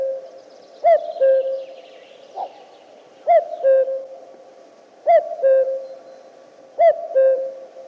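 A common cuckoo gives its familiar two-note 'cu-coo', a higher note dropping to a lower one, repeated four times about every two seconds over faint background hum.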